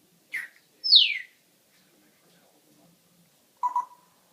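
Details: Pet parrot calling indoors: a short harsh note, then a loud squawk sweeping sharply downward, and after a pause a low rough double chuckle.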